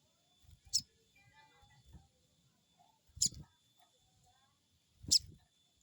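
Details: Lure recording of a crested jay giving crecet calls to stimulate a bird to respond: three brief, piercing high chips roughly two seconds apart, with faint low rumbling and thuds between them.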